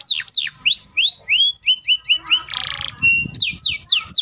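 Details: Canary singing a long rapid roll meant to spur other canaries into song: varied descending whistles, short rising chirps in quick pairs, a brief buzzy trill, then loud falling sweeps again.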